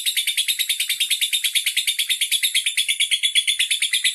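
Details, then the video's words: Lovebird from Bandar Lampung, Indonesia, performing a lengthy display of song; a dense, high-pitched chattering trill of rapidly repeated chirps, about three each second, slightly uneven in rhythm. "Lovebird andong unjuk gigi"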